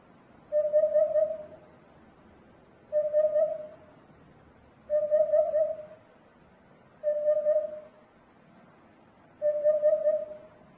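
A hoopoe gives soft, low, hollow 'oop-oop-oop' phrases, five in all, one about every two seconds, against a quiet background.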